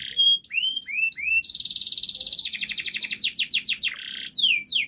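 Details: Canary in loud, persistent 'gacor ngotot' master song used to coax a silent canary into singing: sharp rising whistled slurs, then a fast buzzy trill and rapid descending notes.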